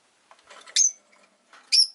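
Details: Rosy-faced lovebird giving two loud, harsh, high chirps about a second apart, each a short burst sliding down at the end, with soft rustling and faint quieter notes before them.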